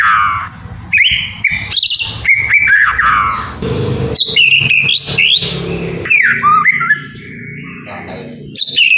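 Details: Song of a captive white-rumped shama, played so lazy birds start singing: a long, varied medley of loud whistles, leaps and slurred phrases with brief pauses, set against steady low background noise.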